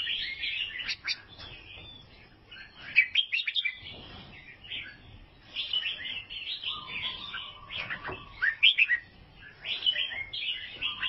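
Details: Long singing bout from an albino sooty-headed bulbul in Vietnam: repeated bursts of bright chirps and warbles with brief quiet gaps, and low whistled notes in the second half.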